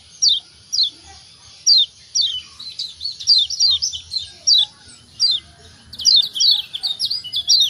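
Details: Kecial kuning, a Lombok white-eye, in a recording used to trigger calling in lazy birds: evenly spaced, steeply falling high chirps, building into faster runs near the end.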